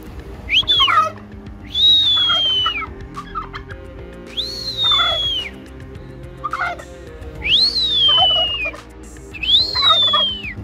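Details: A male domestic turkey on a small farm in spring gobbles six times, each a loud, high, gurgling burst that arches and falls, about every two seconds over a steady low hum.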